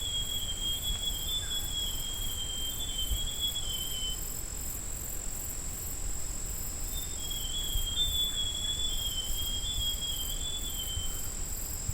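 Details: Forest scrub robin (Cercotrichas leucosticta) recorded on 20 August, giving two faint, high whistled phrases that waver up and down, separated by about three seconds, over a steady high insect drone and low background rumble.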